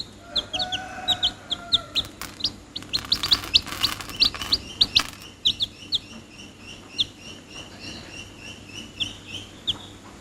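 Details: Short high chirps from chicks repeated through the recording, mixed with rustling and scratching bursts and some faint tonal background sound.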